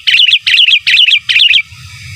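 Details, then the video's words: Sooty-headed bulbul in energetic gacor song, giras and menggaruda style, used as a master song: four identical loud, bubbling whistled phrases repeated about every 0.4 seconds, then quiet with a low rumble. "Suara Burung Kutilang Gacor Giras dan Menggaruda Cocok Untuk Masteran"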